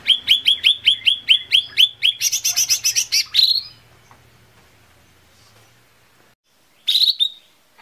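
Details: Lesser green leafbird song meant as a lure to make birds sing: a string of sharp downslurred chirps runs into a harsh, buzzy, higher chatter. Silence follows, then a short burst of chirps returns, with a faint low hum beneath.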